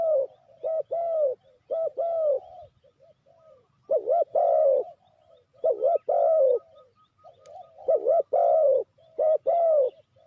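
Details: Cooing of a spotted dove used as a trapping lure: loud, hollow, bubbling coos in paired and tripled notes, bursts separated by short pauses, with softer coos between.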